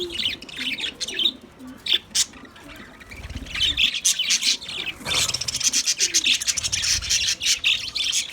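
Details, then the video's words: White budgerigars twittering and squawking in irregular quick chirps, becoming a fast dense chatter toward the end, with soft low notes underneath. "White Budgies Bird vlog | Parrot k mastiyun"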